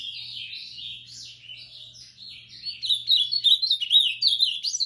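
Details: Moicano song of an ultramarine grosbeak, a rolling high warble of slurred notes that grows louder and more rapid in its second half, with a faint low hum.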